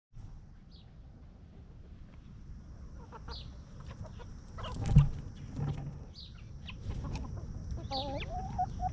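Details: Free-range hens roaming, scratching and feeding peacefully in a backyard farm yard; soft low clucks scattered through the clip, a louder thump near the middle, and a faint steady high tone running across the background.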